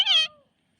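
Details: Pet talking parrot in Bangladesh, coaxed by its owner to say words, gives one short harmonic squawked syllable lasting a quarter second, fading quickly, in a small quiet room.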